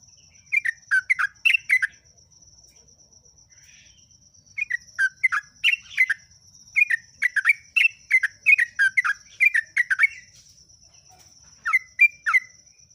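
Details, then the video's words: Yellow-vented bulbul, known as jogjog or trucuk, singing a ngeropel song: repeated phrases of fast chattering, liquid whistles sliding up and down, grouped into several bursts with short pauses, a faint steady high hiss behind. "BURUNG JOGJOG/ TRUCUK PALING GACOR"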